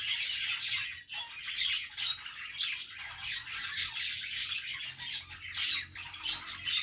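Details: Budgerigars playing as pets: continuous busy chirping and warbling from several birds, with a few thin whistled notes and short squeaks breaking through the chatter.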